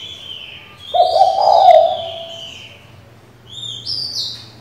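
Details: Female spotted dove calling to a male, used to stir a decoy bird: one low, husky coo lasting about a second, with thin higher whistled notes from other birds before and after.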